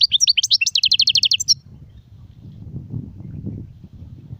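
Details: European goldfinch giving a quick burst of high twittering followed by an evenly repeated trill of sharp notes, lasting about one and a half seconds, then low background noise.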